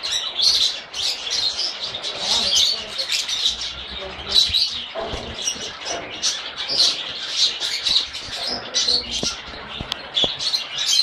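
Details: Pet lovebirds in a noisy chorus of sharp, high chirps and occasional harsher squawks, overlapping constantly; a few faint clicks and a brief low murmur appear in the background.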